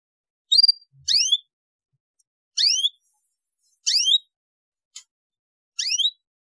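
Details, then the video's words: Young canaries being taught to sing with a lure recording: clean, bright chirped phrases, each a quick set of stacked downward-sweeping whistles, repeated about every 1.2 to 1.5 seconds with silent gaps between and one brief tick. "CUITAN KENARI PANCINGAN KENARI PAUD BELAJAR BUNYI AGAR CEPAT GACOR"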